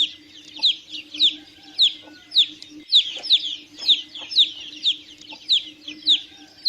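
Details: Young chickens give high, thin descending peeps at a slightly uneven pace, roughly two per second, over a constant low background hum.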